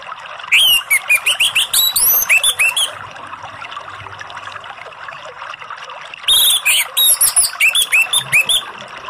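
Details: Orange-headed thrush singing in the relaxed 'ngeplong' style, played as a lure to prompt silent or stressed birds: two bursts of rapid, varied, high whistled phrases with upslurred and looping notes, separated by a pause, over a steady background hiss.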